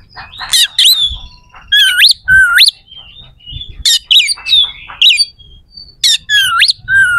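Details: Oriental magpie-robin singing rough, sharp fill notes, played to make rival magpie-robins more aggressive in competition. Harsh chatter mixes with clear upslurred whistles that rise sharply at their ends, over a low background hum.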